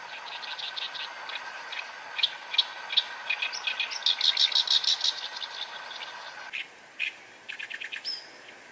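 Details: Song of a reed warbler at close range, around 8 m: long rapid stream of harsh, creaky chack and churr notes, swelling louder midway, then a few spaced squeaky phrases ending in a thin whistle.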